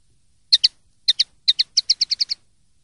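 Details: Clean common linnet song from a song-training recording: two pairs of bright, twittering notes, then a quicker run of about eight clipped high chirps against a silent background.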